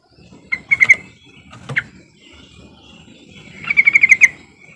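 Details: Trucukan, or yellow-vented bulbul, sounding a lure call for silent birds: a few separate bubbly notes, then a rapid run of about seven chattering notes, over low background rumble.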